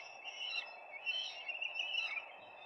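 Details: Peregrine falcon at the nest, recorded live on 4 May 2025: a drawn-out, grating, wavering cry lasting over two seconds, with a faint steady hum behind it.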